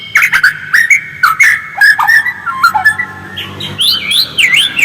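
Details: White-rumped shama song in its original voice, used to provoke other shamas into singing: loud, clear whistled notes repeated in quick succession, then higher looping warbled phrases.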